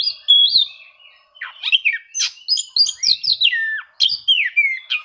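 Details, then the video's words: Rival-seeking song of an Oriental magpie-robin, used to make reluctant birds sing: rich rapid phrases of descending whistled slurs and high sharp notes, tumbling in quick succession. "suara kacer mencari musuh, cocok untuk memancing kacer susah bunyi."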